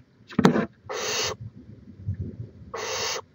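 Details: Barn owl on a live nest cam in Chula Vista, California, 18 May 2017, gives two harsh, breathy hissing screeches, each about half a second long and 1.5 seconds apart, after a sharp knock over a low rumble.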